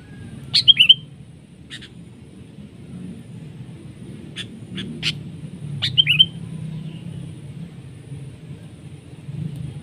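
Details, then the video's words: Sooty-headed bulbul clashing with a decoy during trapping; two calls, each a sharp falling sweep ending in a short whistled note, separated by scattered clicks and taps. "PIKAT KUTILANG CENGKRAM seperti elang adu kekuatan"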